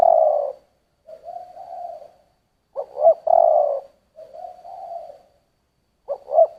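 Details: Spotted dove cooing in the style called giọng thổ: low hollow coos in a repeating phrase, a short louder double note followed by a longer soft drawn-out coo, about every three seconds.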